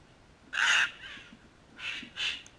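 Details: A crimson rosella visiting a backyard feeder in Canberra gives three harsh, raspy screeches: one loud and longer, then two shorter ones close together, over quiet background.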